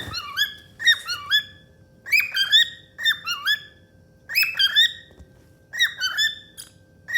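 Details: Pet cockatiel, happy and singing indoors, gives short whistled phrases with rising and falling notes in bursts roughly every second, a faint steady hum in the background.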